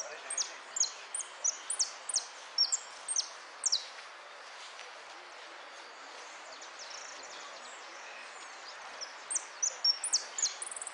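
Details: Goldfinch in the "Amarillo de Repique" contest class, 03 02 13: a burst of rapid high metallic notes, a long near-silent stretch of background hiss, then another quick run of sharp notes.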